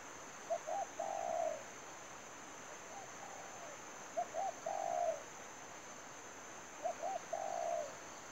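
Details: Spotted dove used to lure birds into a trap, giving three phrases of quick stuttered notes leading into a longer coo, separated by pauses of a second or more, against a steady hiss.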